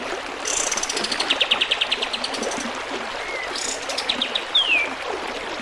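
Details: A kapas tembak bulbul delivers a rapid buzzy trill of evenly spaced notes, then a soft low slur and one bright descending whistle, against continuous trickling water in a recording for teaching birds to sing.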